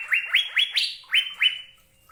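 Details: Asian fairy-bluebird delivering six sharp, rising whistled notes in quick succession, with a short gap before the last two, then trailing off into quiet.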